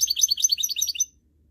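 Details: High, quick twittering phrase from a goldfinch mule, a canary and goldfinch cross bred for song, running about one second before stopping abruptly into quiet.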